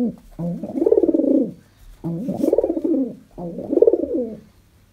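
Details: A contented pet pigeon in a small room utters three long, drawn-out, warbling coos, each swelling and fading over more than a second, spaced roughly every one and a half seconds.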